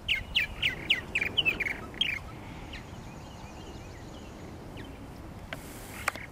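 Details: Near nesting gourds at Lake Mackintosh, Gibsonville, North Carolina, a purple martin gives about eight quick, sharp, downslurred chirps in two seconds, then only faint distant chirps and hiss remain.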